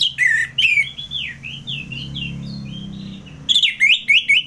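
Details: Orange-headed thrush from North Bali, Singaraja, in ngeplong style: loud slurred whistles that rise and fall, softer fading notes in the middle, and a final string of sharp whistled phrases over a steady low hum.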